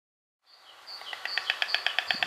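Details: White storks greet each other on their nest with loud bill-clattering, a rapid, dry wooden rattle of about eight knocks a second, building in strength; the eggs have hatched, and a thin high chirping runs behind.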